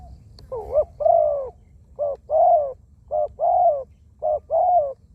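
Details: Decoy zebra dove, a wild bird described as small-voiced with many coos; rolling coo phrases, each a brief note then a sustained arched one, repeated four times in quick succession.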